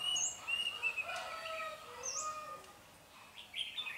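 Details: Red-whiskered bulbul used as a caged decoy for trapping wild birds, recorded 21 February 2020: loud clear whistled notes in quick bursts, some high and slurred, over lower overlapping chatter and background bird calls.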